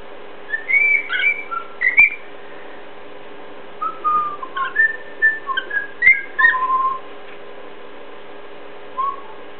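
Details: Pet cockatiel imitating a companion bird it looks up to, producing bursts of clear whistled notes, some rising, some falling, in short phrases with pauses, indoors with a faint steady hum.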